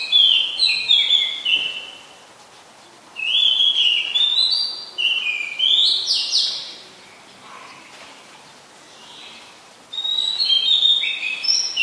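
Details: Song of an Oriental magpie-robin, a common resident bird, in Ubon Ratchathani, Thailand, on 20 September 2022 (Nikon P1000). Varied whistled phrases with sliding notes and quick trills come in four bursts separated by pauses of one to two seconds.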